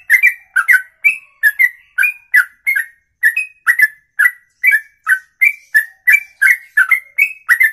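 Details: A songbird keeps up a ropelan, a long song in one breath of over two minutes: bright, piercing whistled notes in pairs and singles, evenly paced about twice per second without pause.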